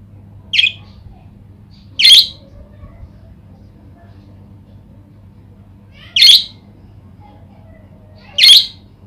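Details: Budgerigar (Melopsittacus undulatus), call: to stimulate other budgerigars to sing.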